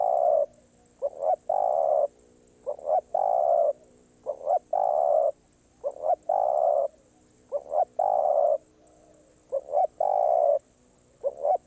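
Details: Spotted dove delivering its karom pa roi song, a string of about seven phrases. Each phrase has two or three clipped introductory hoots and then a sustained, throaty coo, repeated steadily every one and a half seconds.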